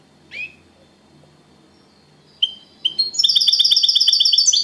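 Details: European goldfinch, singing champion in second place, giving clean copia Malaga style song: a lone rising call, quiet gap, two sharp chips, then an accelerating run of bright, evenly repeated high notes.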